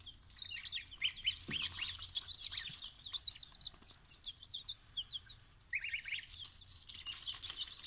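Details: Newly arrived chicks of a mixed barnyard assortment, picked up from the post office early in the morning, peeping in a dense chorus of short high chirps, many overlapping and some falling in pitch, with faint rustling and bumping throughout.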